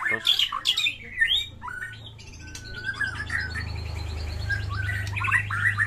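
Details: White-rumped shama in a lively fighting song rich in mimicked phrases, used to spur silent birds to sing: rapid varied whistles, chatters and rising notes, with a steady low hum running beneath throughout.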